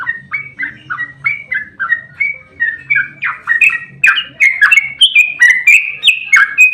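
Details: Fighting sooty-headed bulbul, played to spur other birds to sing back: rapid whistled chirps, around four a second, growing louder and higher toward the end over a faint low hum.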